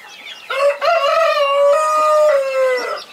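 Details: Domestic chicken, a mother hen guarding her 21 chicks: a loud, steady, drawn-out harmonic call lasting over two seconds that ends with a slight drop, with faint chick peeps around it.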